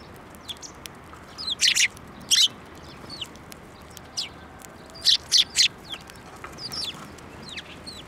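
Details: Several sparrows arriving to get food near rapeseed blossoms in a field at a Tenmangu shrine, February 9, 2024. Quick high chirps come in clusters of two or three, with thin softer tweets scattered between them.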